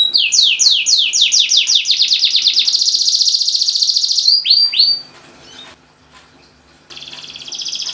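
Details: A canary in energetic song, meant to make silent canaries sing: a string of swooping downslurred notes merging into a rapid trill, a few rising whistles, a quiet gap, then song again.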